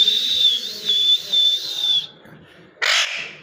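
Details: A parrot whistles a long, high, slightly wavering note for about two seconds. Near the end, after a brief silence, it gives a single loud, rough squawk.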